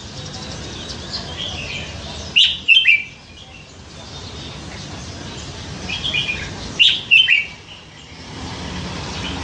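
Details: A red-whiskered bulbul kept nine months in a cage after being hand-caught as a scruffy youngster sings two short, lively whistled phrases several seconds apart, with a soft hiss between them.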